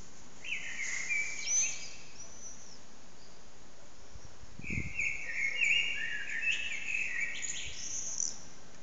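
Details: A common blackbird sings loudly in an echoing backyard courtyard, slow fluted whistled phrases each ending in thin high twitters, over a loud low background rumble with one dull thump midway.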